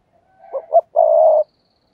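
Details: A spotted dove decoy used to lure doves, with a softer 'thúc gù' coo: two low swelling notes leading into one steady, drawn-out hoot lasting about half a second, against silence.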